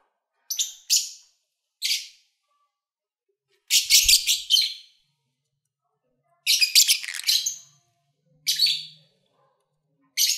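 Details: Pet lovebirds singing and playing: scattered shrill chirps early on, then two bursts of rapid, chattering high chirps several seconds apart, with single chirps in between and a faint low hum.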